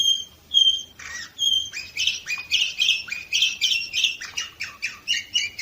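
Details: Singing canary, Varna, Bulgaria, 2018: a few clear whistled notes, then a continuous rich warble of rolling, buzzy trills repeated in quick pulses, loud and unbroken to the end.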